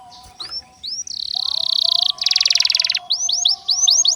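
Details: A Belgian canary sings a fast, varied song: upslurred whistles, a long buzzy trill, then a rapid rattle and more rising notes. A steady low hum runs underneath.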